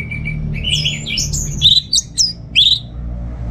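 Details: Kept orange-headed thrush from North Bali, Singaraja, in receh song. A level whistle opens, followed by a warbled run and then four loud, sharp, upswept notes in quick succession.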